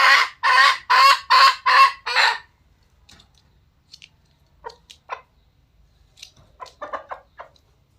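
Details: Red junglefowl giving six harsh cackles in quick rhythm over two seconds, then near quiet with scattered faint clucks and clicks.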